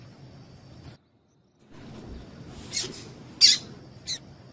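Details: After a brief silent gap, a female double-collared seedeater gives three sharp, high, clipped notes, a call intended to excite the male, over low background hum.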